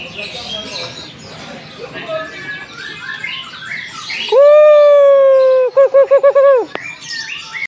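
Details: Busy twittering and chattering of many birds at a Jayapura gantangan gives way to the Papuan butcherbird's loud, sustained pure whistle, then five rapid bouncing looped notes cut off by a sharp high snap.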